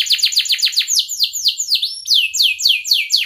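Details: Canary song used as a lure to teach young canaries to sing: rapid trills of downward-sweeping notes, each series repeated about four times a second, shifting between note types in quick succession.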